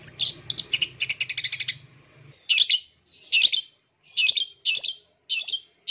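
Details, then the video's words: A long-tailed shrike (cendet) gives a rapid run of harsh, scratchy chattering notes, then louder buzzy phrases roughly every half second, with a faint low hum underneath at first; used to spur silent captive cendets to sing again. "Suara Cendet"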